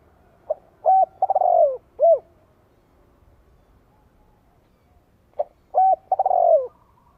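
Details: Spotted dove calling to prompt nearby doves to reply. The same phrase comes twice, about five seconds apart: a soft pip, a flat coo, a trembling falling roll, then an arched coo. A quiet pause separates the phrases.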